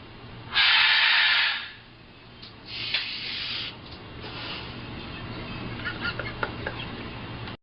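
A macaw gives a loud, breathy "shhh" lasting about a second, then a second softer shush, followed by quiet rustling and a few faint, brief squawky notes.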